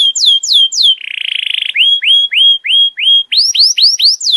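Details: Canary tutor song played for young canaries to learn from: descending whistled sweeps, a short buzzy trill, then even upslurred whistles repeated about four times a second, ending in quicker rising notes.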